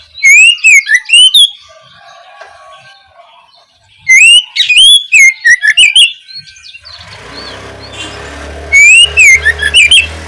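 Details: Opening song of an Oriental magpie-robin, used to coax young birds into singing: three whistled, swooping phrases with bright clicks, separated by pauses, while a broad hiss and low rumble rise in the last third.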